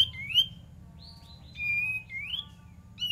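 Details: Lure song of an olive-winged bulbul: a few slurred whistles, one held steady and another rising, all in close succession over a constant low rumble.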